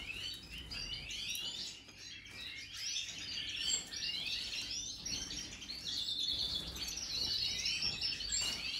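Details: European goldfinch, Major song, 2023: a lively stream of high twittering notes, mixing quick sweeping chirps, buzzy trills and ringing tones, delivered nonstop, with soft background noise.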